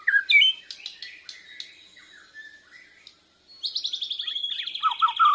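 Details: Bornean white-rumped shama learning to sing against a lure recording, chest feathers fluffed. Loud opening chirps fade into soft twittering, a short silence, then a fast high trill and downward whistles.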